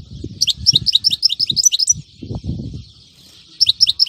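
European goldfinch singing a rapid run of high, liquid twittering notes, pausing briefly before another burst, with low thumps and rustling underneath.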